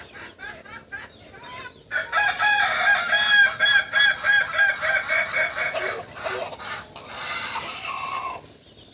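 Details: Crowing of a kukuak balenggek rooster, native to Solok in West Sumatra: short notes lead into a long crow broken into a regular series of rapid stepped pulses, like a rolling chain of syllables, ending in a trailing tail.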